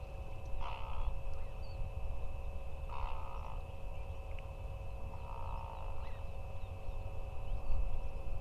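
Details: Greater flamingos in large flocks gathering with mallards in the wetlands of Hula Nature Reserve, Israel, a seasonal stopover and feeding site; three nasal, honking calls roughly every two and a half seconds over a heavy low rumble.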